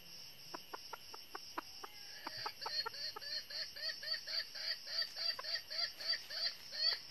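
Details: Red-eared northern decoy hen of red junglefowl, used to lure wild males into a trap: a few sharp clicks, then a steady run of short, nasal, harmonic clucks about three per second, with a constant high insect hiss behind.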